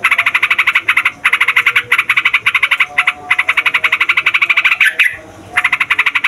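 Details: Yellow-vented bulbuls (Pycnonotus goiavier), in noisy long continuous song used to lure wild birds and train young birds, chatter in dense, rapid bursts of bubbly notes, several a second with brief pauses; it sounds like several birds calling together.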